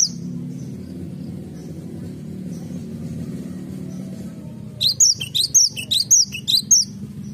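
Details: Cinereous tit singing in a garden over a steady low rumble: a few faint notes, then a run of five or six bright repeated phrases, each a high descending whistle with a lower second note.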